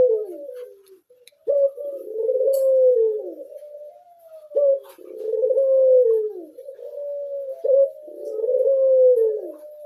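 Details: Captive blorok (pied) Barbary dove cooing in a steady cycle: a sharp opening note, then a long hoarse coo that falls away at the end. The pattern repeats about every three seconds, three times.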